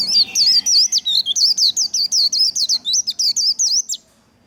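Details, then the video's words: White-eye in a training recording meant to stimulate and train singing, 'líu' style song: a rapid run of loud, high whistled notes, each sweeping and wavering, about sixteen in four seconds, then silence. "Kích lửa vành khuyên líu đấu"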